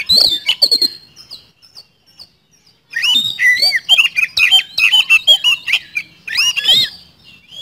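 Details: White-rumped shama singing: quick chipping notes, a quiet gap, then a rich jumble of swooping whistles and harsh rattles continuing for several seconds.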